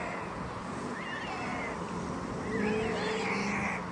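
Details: White storks at their nest in Vetschau, around 11:45 am, during alarm and feeding: wavering, mewing calls rise and fall in two bursts, the second louder, over steady background noise and a low hum.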